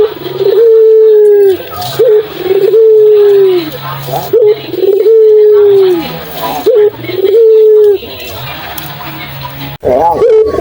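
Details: Ringneck dove (puter) calling as lure audio to coax other doves into answering: a short upswept note followed by a drawn-out steady coo, repeated roughly every two seconds, ending in a sharp break.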